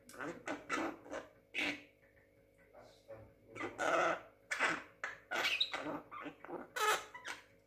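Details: Talking Javan myna, young at six months, delivering a rapid, uneven string of harsh, syllable-like bursts resembling chattered speech, with one thin whistled note near the middle.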